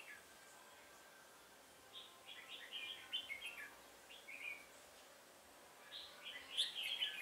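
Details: Red-whiskered bulbul recorded during trapping on 1 October 2018. Soft at first, then a rapid sequence of warbled whistles, a quiet pause, and a louder closing burst of bright chirping notes.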